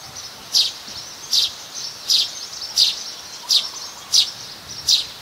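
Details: Plain-backed sparrow in Ubon Ratchathani, Thailand, January 2020: a run of seven bright, high-pitched chirps spaced roughly every 0.7 seconds, clear above a faint hissing background.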